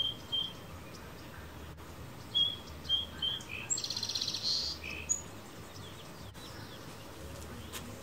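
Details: A male sparrow on a backyard fence in the morning gives short, high chirps in scattered bursts, with a quick rattling trill in the middle; faint background hum throughout.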